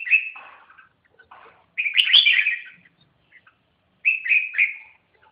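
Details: Red-whiskered bulbul singing three short bursts of bright, warbled, chattering notes, the middle phrase loudest, separated by brief pauses; no other sounds.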